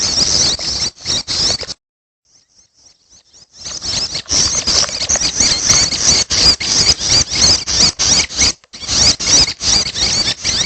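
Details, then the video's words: Chicks of the red-headed prenjak begging: scratchy, hissing bursts in a rapid irregular rhythm, a lull of nearly two seconds with faint ticks, then sustained harsh chatter. "Suara Anakan Prenjak Atas || Prenjak Kepala Merah || Suara Anakan Ciang"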